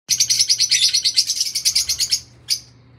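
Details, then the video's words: Fischer's lovebird singing: a rapid run of harsh, high chattering notes, about three per second in quick pulses, lasting two seconds, then one short squeaky note after a pause; a faint steady low hum underneath. "Fischer lovebirds/ Singing"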